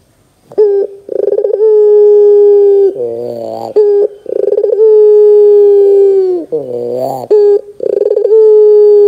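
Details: Barbary dove (puter) 'gacor dor' cooing played to coax young birds into answering: two complete phrases of pulsed, stuttering onset plus drawn-out low coo, separated by coarse rasping notes, with a third phrase starting.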